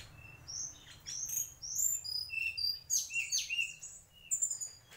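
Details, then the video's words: Mangrove whistler song: a busy run of short whistled and chirping notes, some high and thin, some lower and slurred, coming in bursts over a faint low hum. "Tledekan asli bakau"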